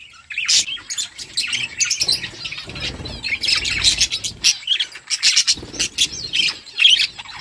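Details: Budgies in a flock, eating: continuous rapid high chirps and scratchy twitters from many birds, in quick uneven bursts with almost no pauses, plus faint low rustling underneath.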